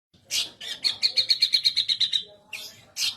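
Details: Cucak kinoi song, described as loud and melodious, used as a tutor recording for magpie-robins: a rapid, even trill of about ten bright chirped notes, framed by harsher buzzy high bursts before and after.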